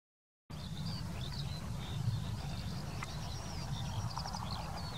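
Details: Eurasian skylark at the Wittlicher Senke, Germany: a continuous, high, rambling warble of chirps and trills, partly buried under a loud low rumble of wind.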